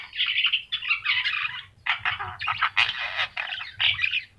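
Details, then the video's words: Javan myna in vigorous song, recorded as a master for training birds: loud grating bursts and chattering runs separated by brief gaps, clean background. "jalak kebo mata kuning gacor"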